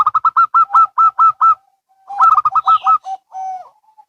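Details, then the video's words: Zebra doves, local and Bangkok types, calling back and forth: a fast run of short, clipped coos, a brief pause, then a second rapid run from the other bird ending in a drawn-out softer coo. "Perkutut Lokal & Bangkok Bunyi Saling Bersahutan"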